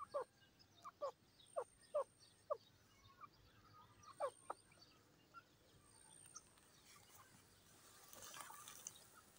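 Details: Grey francolin calling in a quick run of short, sharp, clipped notes, about two per second, fading out after a few seconds, with faint high hiss and rustling in the background.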